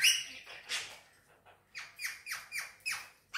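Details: Green Indian ringneck parakeet kept as a pet, producing a series of short descending whistled squeaks repeated roughly every quarter second after a few scattered harsh notes, indoors.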